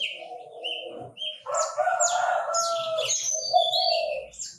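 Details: A Chinese francolin gives a rough, low, grating note. A louder, harsh, buzzing phrase follows, lasting around one and a half seconds, then another grating note. Sharp high chirps from other birds overlap it.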